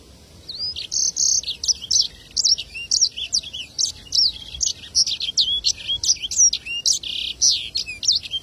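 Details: Black-throated canary (Crithagra atrogularis) singing a fast, unbroken twitter of high, varied chirps, slurred whistles and buzzy trills, with no other clear sounds.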